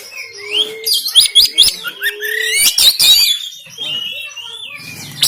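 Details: Kacer, or oriental magpie-robin, recorded on Android in Banten to push caged birds to sing: a flurry of crackling harsh notes and high twitters gives way to softer sliding whistles, with two low steady tones early on.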